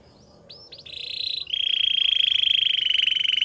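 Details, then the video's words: Belgian singing canary, described as seducing other canaries, gives a few rising notes, then a long rich even trill held for over two seconds against a soft background hiss. "A special canary to seduce all the canaries - The belgian singing canary"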